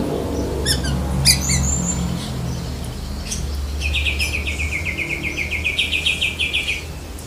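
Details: Oriental magpie-robin, black-breasted type, in its lovebird-mimicking song: a few sharp chirps and a thin whistle, then a long steady trill of rapidly repeated notes lasting about three seconds, low hum underneath.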